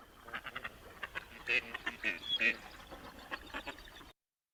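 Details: A drake Gadwall gives a run of short, nasal, croaking notes at an uneven pace, about one a second, loudest in the middle of the series. This is the chatty drake call, given while floating on a pond or flying.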